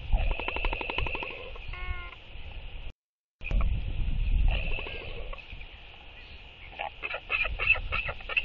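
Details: Northern royal albatross, four birds socialising in the evening on 23 October 2023, practising courtship displays with sky calls and bill clapping; rapid pulsed, harmonic-rich calls, then a brief pure tonal note, with steady wind underneath.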